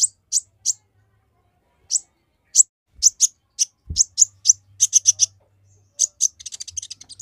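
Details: Olive-backed sunbird's dense, rapid song to agitate other males: sharp high chirps at first spaced out, then tightening into fast repeated notes and finishing with a rapid buzzy trill; a soft thud midway.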